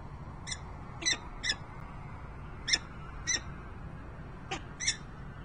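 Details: Peregrine falcon calling at the nest, Harrisburg, Pennsylvania, 28 November 2020: seven harsh, clipped notes, some paired, scattered irregularly across a few seconds over a quiet low hum.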